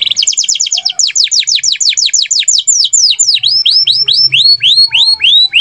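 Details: Belgian canary singing rapid rolling tours of bright, high downslurred notes, about a dozen a second at first, then slower sweeping whistles, over a faint low hum.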